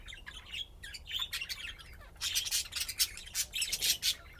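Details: Playing budgerigars chirping: quick high scratchy notes at first, then louder, denser chattering with bright clicky squawks in the second half.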